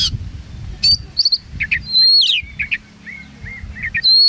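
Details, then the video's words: Competition Oriental magpie-robin singing from its hanging cage in Singkawang; scattered sharp high whistles, a long descending slurred note, then softer short calls, over background chatter of people. "Testing Vokal Kacer SNIPER Di Bawah Gantangan"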